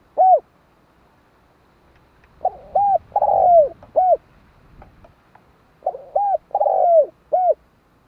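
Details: Spotted dove cooing: a lone short coo, then two full phrases of clipped arched coos around a long, drawn-out note that slides downward, ending with a final arched coo; quiet background.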